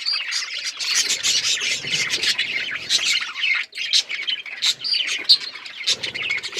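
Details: Budgerigars in a breeding setup, chirping together: dense, continuous high warbling chatter with scratchy notes and brief squawks, many birds overlapping with no pauses.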